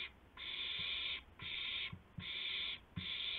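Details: Owl recorded at 2:51 AM on 2 April 2016 while bringing a gopher to its mate; four drawn-out, rasping hisses, each about half a second, separated by brief pauses with light knocking sounds.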